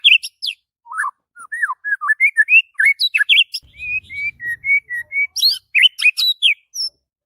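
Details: White-rumped shama singing in the morning, a lively run of clear whistled notes rising and falling, slurred phrases flowing into a steady string of short whistles and a closing burst of higher chips.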